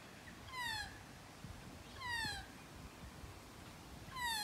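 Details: Close encounter with a magpie: three loud, nasal, downward-sliding calls, each harmonically rich and about two seconds apart, over steady low background rumble.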